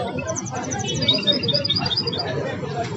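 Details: Song of a goldfinch hybrid said to have mastered the Belghith, Jnan al-Hasira and Si al-Fahm styles: fast high chirps and rattled trills, about three or four per second, with murmuring voices and low noise underneath.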